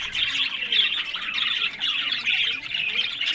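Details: A crowd of bred budgerigars in Larkana, Sindh, chatters nonstop, a thick blend of high warbles and squawks that swells and dips in loudness every second or so.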